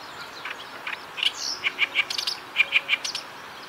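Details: Oriental reed warbler singing in season from grass in Kita-Harima, central Hyogo, Japan: loud, harsh, chattering notes repeated in quick runs of three, with short pauses between bursts over steady outdoor background noise.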